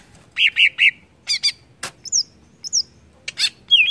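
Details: Greater green leafbird singing to provoke rival birds: three mid-pitched chattering notes, then paired buzzy chirps, high thin slurred whistles and a loud rising whistle at the close, in a varied, busy phrase.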